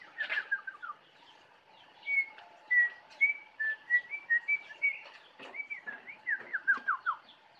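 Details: Jongkangan song recorded in the Kintamani forest, Bali: a series of short, clear whistled notes about three per second, shifting up and down in pitch, ending with quick descending slurred whistles, plus a steady low hum.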